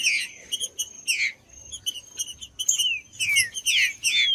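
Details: Green-winged saltator song played to warm up other saltators kept by tournament breeders: loud slurred whistles sliding downward, mixed with quick repeated high chips and a steady thin high tone throughout.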